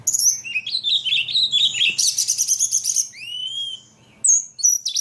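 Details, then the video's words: A ledekan sings a quick warbling run of rising notes, then a dense buzzy trill, followed by clean upslurred whistles and a few sharp high chirps after a short silence. "Burung ledekan paling gacor"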